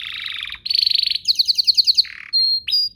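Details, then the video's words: Canary lure song prompting other canaries to answer: buzzy rolled trills, a rapid bubbling trill of repeated notes, then short flat whistled notes. "Pancingan Burung Kenari agar CEPAT BUNYI, terbukti ampuh bikin burung kenari lain nyaut"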